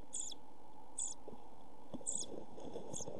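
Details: Quiet nest box recording of European pied flycatcher chicks, 27 June 2013, in heat and food shortage: four soft high squeaks about a second apart with faint rustles.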